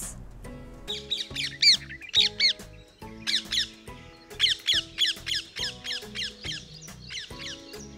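Rose-ringed Parakeet giving shrill, harsh screeches in quick bursts, about three a second, over steady background music.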